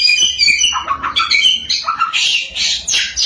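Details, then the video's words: Samyong singing continuously as a lure to make other samyong sing: dense, chattering phrases of high whistles mixed with raspy, broadband bursts, delivered rapidly without pause. "Burung 1001 Suara SAMYONG GACOR, Bikin Samyong Lain Emosi & Ikut Gacor.."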